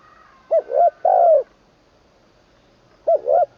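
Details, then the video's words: Decoy spotted dove singing during training, third session, its song said to have a full middle voice and a 'kuk' ending: a three-part coo phrase, a pause of about one and a half seconds, then the next phrase beginning. "ฝึกนกต่อ เจ้าเพชรบุรีรัมย์ แดนอีสาน ครั้งที่ 3 ตามหมาย 1เดียว ขันลงกุกวัย เสียงกลางเต็ม"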